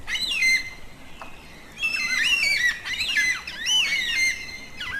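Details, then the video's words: Wailing, whistled calls of yellow-tailed black cockatoo, a social bird of south-eastern Australia that communicates with its peculiar call; bending, up-and-down notes come in two bursts, separated by a quieter gap. "Canto de Pássaros - Cacatua Fúnebre (Um dos cantos mais bonitos)"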